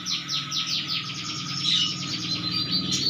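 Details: Canary singing vigorously: rapid series of bright downward-sweeping notes repeated about five times a second, high and sharp, over a steady electrical hum and low background drone.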